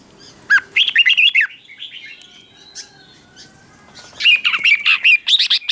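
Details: Red-whiskered bulbul morning 'ché' training song: a bright, fast warbled phrase of rising and falling notes, a quieter interlude of faint twitters, then a second loud chattering warble.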